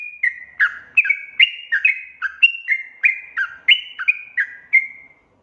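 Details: Bubbly sooty-headed bulbul song played as a lure for wild birds: about sixteen short slurred notes in five seconds, alternating pitch in a lively, uneven chatter before stopping.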